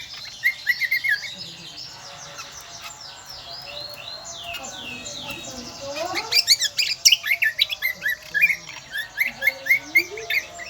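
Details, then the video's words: Lively, shrill song of the kecial kombo, a Lombok island endemic: scattered chirps and slurred whistles building into a rapid, varied sequence of sharp high notes. "burung kecial kombo gacoorrr melengking"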